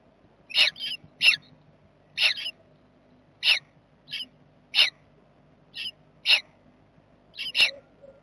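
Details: Jackdaw family at a nest box, 7 May 2020, a box a barn owl visits at night, give short, sharp 'tchak' calls, about ten in eight seconds at an uneven pace, some doubled, over a faint low hum.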